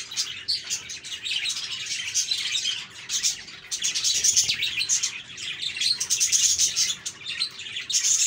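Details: Parakeets warble and twitter in a busy chorus, bursts of high scratchy chatter rising and falling irregularly, with occasional sharper chirps standing out above the mass.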